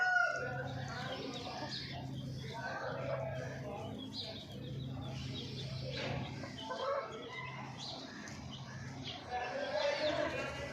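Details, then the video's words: Morning hen sounds: a scatter of short, irregular clucks and brief squawks throughout, some louder near the end, over a constant low electrical hum with faint voices. "Hen sound effect morning"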